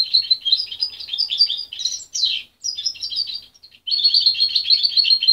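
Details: Juvenile goldfinch hybrid in captivity, parent-reared and taken from its mother at 23 days, singing a fast, high, continuous twitter of trills and chirps with a short gap before a dense final run.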